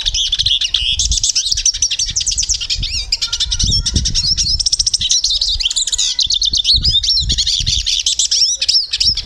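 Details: Nonstop high, bubbling twitter from a Portuguese European goldfinch, mixing rapid chirps, trills and brief whistles, with scattered low thuds in the background.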